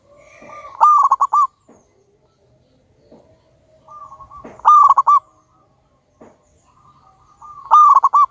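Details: Zebra dove of local wild stock, singing strongly with a big voice as a lure for other doves: three loud phrases of rapid, stuttering coos, each falling into a quick trill, spaced about three to four seconds apart with quiet between.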